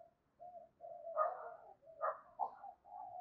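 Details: Spotted dove coo used to provoke fighting and call wild doves in: a run of soft, low, muffled cooing notes, several rough phrases in quick succession, fairly faint with a quiet background.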